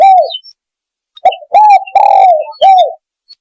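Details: Spotted dove cooing played as a lure to attract doves: clean, hollow coos with slightly falling tails, a lone note then a cluster of three closely spaced phrases, silence between.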